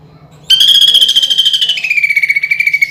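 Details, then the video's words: Greater green leafbird contest lure song with rough rolling bursts. A loud, rapid, buzzy trill starts abruptly and runs for over two seconds, sliding gently lower toward the end. "PANCINGAN CUCAK IJO ISIAN PELATUK BAWANG SAMBUNG TENGKEK BUTO DAN GEREJA TARUNG"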